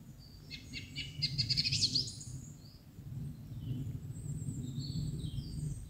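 A song thrush delivers a brief, bright phrase of rapid high repeated notes over a low rumble.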